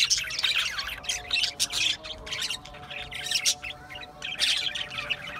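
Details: A group of budgerigars keeps up a lively, overlapping babble of harsh chirps and rippling warbles, with a soft steady tone humming underneath.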